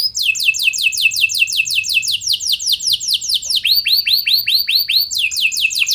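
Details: Canary song serving as a lure so other canaries respond: long run of quick falling whistles, shifting into a slower phrase of lower arched notes, then back to rapid trills.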